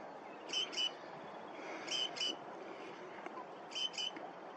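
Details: Great grey shrike (Algerian form, Lanius excubitor algeriensis) on the coast of Caserta gives harsh paired calls, two quick notes together, repeated about every one and a half seconds over steady background hiss.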